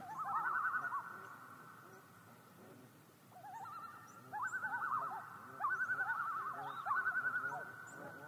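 A common loon gives wavering, quavering calls that rise and hold in rapid bursts of pulsing notes, with faint background rustle.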